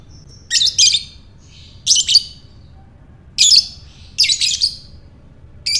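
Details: A lovebird chattering in ngekek style, used to set other lovebirds calling: paired shrill, grating bursts repeated every one to two seconds, some stretched into longer rattles, over low steady hum.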